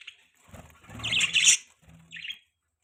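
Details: Budgies chirping: a short burst of bright, high, scratchy chirps and twittering warble peaks, then a pause and one brief quieter chirp, with a faint low rumble underneath.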